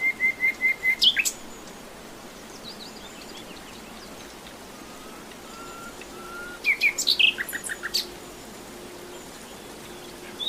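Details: Common nightingale (Luscinia megarhynchos), song.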